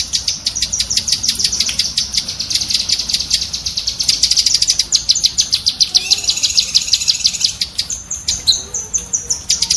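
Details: Cucak kinoi bulbul, chattering used to train pet songbirds: a steady stream of sharp, high, rapidly repeated notes, slightly slowing toward the end.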